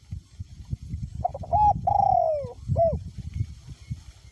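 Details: A caged spotted dove decoy with a small-to-medium voice coos in strong wind: a single phrase of short clipped notes, a long gently falling coo and a quick end note, backed by buffeting wind.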